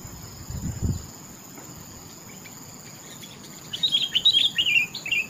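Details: Sooty-headed bulbul in topcer-style song: after a quiet stretch with a low thump, a lively run of quick, slurred chirping notes fills the final second and a half, over a steady high hum.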